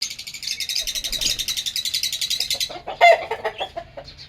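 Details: Pet lovebirds in an aviary chirping: a rapid, dense trill of high buzzy notes pulsing many times a second for over two seconds, then scattered sharp chirps and squeaks.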